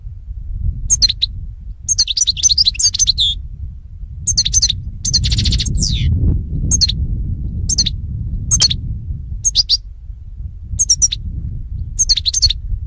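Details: European goldfinch singing for training caged goldfinches: short high twitters and slurred notes in separate bursts, one buzzy trill, repeated every second or two over steady low rumble.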